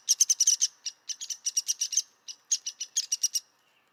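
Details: Repeated sharp high notes from a downy woodpecker, delivered in quick irregular clusters separated by short pauses, each note brief and slightly soft-toned, with no other sounds.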